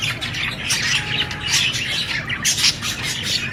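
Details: Budgie parrot producing a rapid, raspy warble of high chirps and clicks, with a few brighter squeaky notes standing out toward the end.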